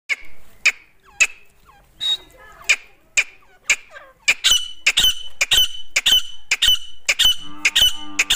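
Grey francolin: sharp, ringing high notes about twice a second, quickening and crowding together toward the end, with faint background sounds that may be voices.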